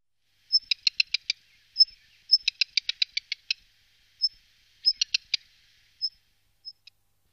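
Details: Black redstart in the Wittlich valley, 2018, giving sharp, dry ticking calls. Fast clicking series of about six to eight ticks are mixed with thin high 'tsip' notes over roughly seven seconds.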